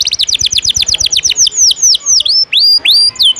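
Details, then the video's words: Energetic canary 'ngejos' song recorded as a tutor for contest birds: a fast run of sharp downward-sweeping notes slows into separate long, loud whistled slurs that dip and rise. "Masteran burung kenari isian ngejos..pedas"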